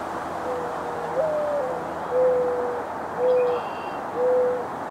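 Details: A Mourning Dove, a common United States bird, gives a soft, low, mournful coo: a slightly rising first note followed by three steady hoots about a second apart. A faint higher bird note is also heard.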